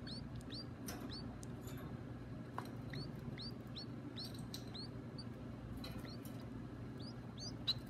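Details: Young caged birds beg at feeding time with thin, high, curved peeps repeated in irregular bursts, mixed with a few soft rustling clicks, over a low steady hum.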